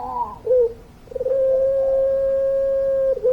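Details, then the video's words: Barbary dove of the puter pelung kind: a short throaty introductory coo and a brief dip, then a single very long, flat, low coo held steadily for about two seconds. "Puter Pelung Gacor Suara Panjang, Manggungnya Bikin Adem"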